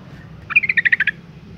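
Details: Female yellow-vented bulbul in breeding condition calling to males: a single quick burst of about eight sharp, chattering notes, evenly spaced over half a second, with a low steady hum underneath.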